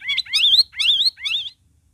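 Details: Sooty-headed bulbul song meant to prompt other cage birds that have stopped singing: three loud, liquid, warbling phrases, each about a quarter to half a second, rich and slightly buzzy, ending abruptly.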